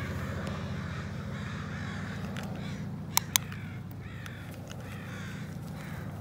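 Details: Northwestern crows en route to the Still Creek rookery, called down by the recordist; scattered harsh caws from several birds over constant low city rumble, with two sharp clicks near the middle.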